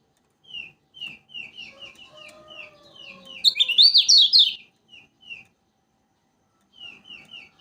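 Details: Kecial kuning of Lombok: a string of short high downslurred chirps about three per second, broken by a loud tumbling twitter in omyokan style, then more spaced chirps; used to stimulate other birds to sing.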